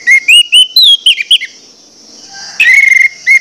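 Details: Orange-headed thrush lure song for rousing other males; a run of clear short whistles and slurred notes, a pause, then more level whistles over a faint high hiss.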